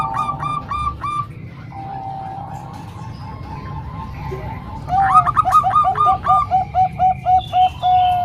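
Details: Song of Bangkok-type and local zebra doves, mixed for training young birds: rapid bursts of bubbling, repeated coo notes, then a quieter stretch, then a loud run of evenly spaced, clipped coos.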